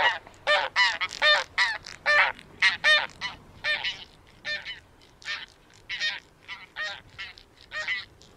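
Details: Taiga bean goose (Anser fabalis) giving a steady series of about seventeen nasal, harmonic honks over eight seconds. The honks are roughly even in spacing and loudness, with a faint hiss behind them.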